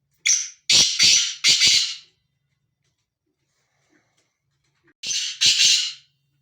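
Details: Free-roaming male black francolin, described as excited, gives two loud harsh phrases: a short introductory note, then three grating, rasping notes in quick succession over about two seconds, with the phrase repeated a few seconds later against a silent background.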